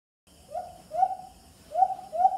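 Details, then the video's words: White-eared brown dove call broadcast on a Bluetooth speaker for hunting: four soft, hollow hoots in two pairs, each note swelling then dropping away, with a longer gap between the pairs. "White-Eared Brown Dove (Huni ng Alimokon II)"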